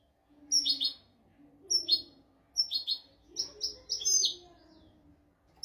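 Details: European goldfinch in a royal-style tutor song for training goldfinches and canaries: short bursts of two or three bright, sharp twittered notes repeated roughly every second, over a faint low hum.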